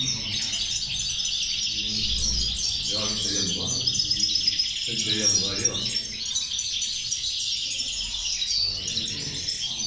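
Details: European goldfinch singing alongside a group of female goldfinches; dense, rapid, high twittering and tinkling notes pour out almost without pause, with a man's voice talking over the middle seconds.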